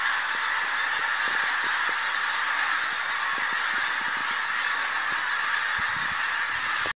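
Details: Pink-footed geese put up by a buzzard near Martin Mere, a large flock calling together in a sustained chorus of high, nasal honks, then cutting off abruptly at the end.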